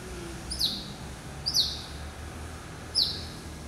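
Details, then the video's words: Caged male hybrid finch, a cross of yellow-eyed canary and Timbrado canary, hatched November 2012 and recorded March 2013: three sharp, high chirps, each a quick downward-sliding note, spaced about a second apart over a low steady hum. "Hybrid Finch ...Yelloweye & Timbrado"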